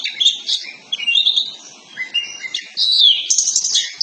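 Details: Kacer poci Oriental magpie-robin singing a lure recording to spur another bird into full song: varied whistled phrases, sweeping slurs and bright chattering bursts, with brief quieter gaps between loud passages.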